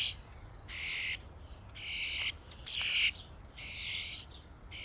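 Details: Harsh, scratchy calls from a common starling flock visiting a feeding station: five drawn-out rasping bursts, the middle one loudest and slightly whistled, spaced about a second apart.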